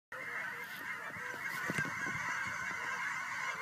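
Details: Geese coming home to Fern Ridge on March 4, 2012: a dense, steady chorus of many overlapping honks from a distant flock, blended into a continuous mid-pitched clamour, with a few closer sharp notes rising above it.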